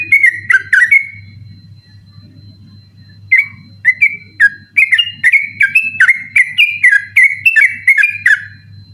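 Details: Sooty-headed bulbul singing persistently at night, kept as a tutor recording for other birds: an opening burst of whistles, a pause, then a long, fast, unbroken run of bright warbled whistles over faint hum.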